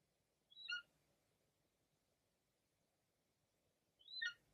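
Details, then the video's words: Golden eagle female summoning her mate overhead as she shields her prey from vultures flying close by; two brief, harmonically rich yelps dropping steeply in pitch, spaced roughly three and a half seconds apart over faint low background rumble. "La llamada del Águila Real"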